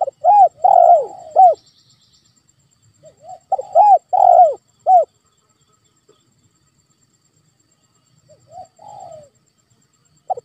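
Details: Spotted dove calling, played to provoke a quiet pet dove into answering: loud hollow coos in bursts of four to five notes, a pause, then another burst and softer single coos, indoors.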